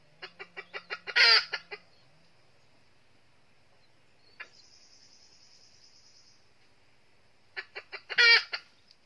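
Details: Red-eared decoy red junglefowl hen from the north, used in a trap to lure wild males: two runs of sharp, evenly spaced clucks, each building into a loud harsh cackle burst, with a thin buzzy insect trill between them.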